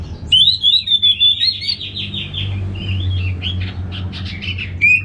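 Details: An orange-headed thrush from Singaraja gives a bright, trilling whistle that slowly falls, then a softer warble and a burst of rapid chips before one final clear note. A low drone continues underneath.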